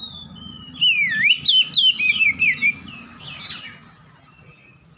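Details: Oriental magpie-robin singing loudly in the 'ngeplong gacor' manner, a recording for training caged birds at home: a long thin whistle, then a fast string of swooping, wavering whistles, fading to softer notes and one sharp chirp.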